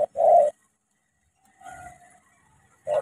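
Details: Spotted dove from Cà Mau, a trained decoy bird encountering a wild dove, giving a loud low hollow coo, then a fainter drawn-out note and another coo at the end after a silent gap.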